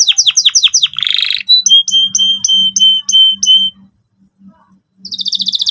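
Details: Energetic canary singing in the lively cuit cuit style, used as a lure for young canaries learning to sing: a run of steeply falling whistled notes, a dense buzzy trill, then a repeated sharp note, a pause and a fresh rapid trill.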